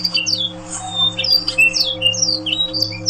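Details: Yorkshire canary song as training sound for other canaries: a rapid, varied run of high sweeping whistles and chirps, with a steady low electrical hum beneath.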